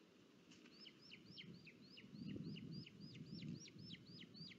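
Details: Booted eagle at its nest in Sierra de Guadarrama National Park, Spain, on 23 July 2022, filmed live as the father delivers food and the chick feeds on its own. Thin, high, down-slurred whistled notes repeat rapidly, about four per second, over low rumbling noise.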